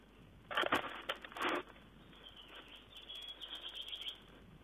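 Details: Tawny owl recorded on 4 June 2010; two short, harsh, hissing bursts close together in the first two seconds, then faint scratchy rustling over steady background hiss.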